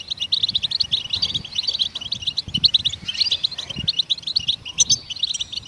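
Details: Wild goldfinches twittering to stimulate songbirds, a fast, busy chatter of high chirps and trills running almost without pause, with soft low background sounds.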